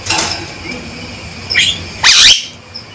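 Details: Male Javan myna calls sharply: a soft harsh note, a brief rising whistle, then a loud buzzy swooping call that ends abruptly, over background hiss.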